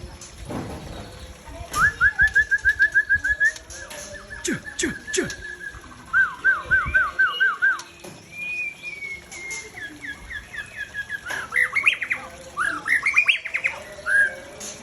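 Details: Aceh white-rumped shama breeding bird delivering quick series of repeated whistled notes, a steady trill followed by a bouncing string of falling notes, then longer slurred whistles and varied bursting phrases over faint background noise.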